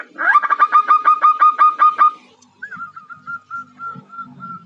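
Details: Female perkutut (zebra dove) calling to attract a male: a quick two-second volley of rolling repeated notes, followed by a quieter string of drawn-out, evenly spaced single notes over faint low rumbling.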